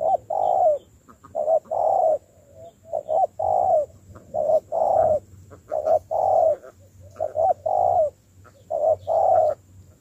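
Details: Spotted dove being trained as a decoy after capture, in sustained cooing. Low hollow phrases of short notes and a longer coo repeat rhythmically about every one and a half seconds, with a soft low hum behind.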